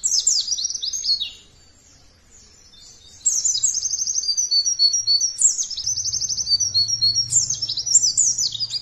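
A white-eye pours out rapid, high, sweet twittering phrases that tumble up and down, broken by a brief pause, with a faint low hum underneath.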